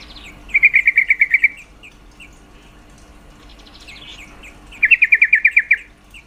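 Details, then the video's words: Female yellow-vented bulbul calling to raise males' mating drive: two bursts of about nine rapid, sharp notes each, several seconds apart, with faint chirps in between. "Suara panggilan trucuk betina sangat efektif mendongkrak birahi trucuk jantan"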